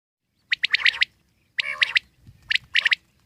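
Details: Wild common quail giving sharp, bright three-note phrases, each a quick clipped triplet with a soft lead-in, repeated about once a second, in otherwise quiet surroundings.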